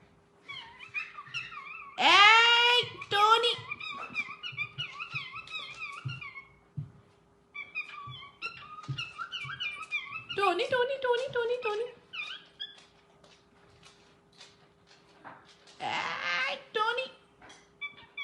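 A cockatiel calls to its mate with loud, harsh screeches between warbling, chattering whistles.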